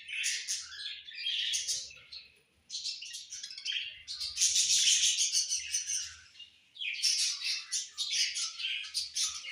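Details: Summer-evening budgerigars warble loudly and busily, a dense stream of rapid, squeaky chirps and rasping notes in long phrases broken by two short pauses.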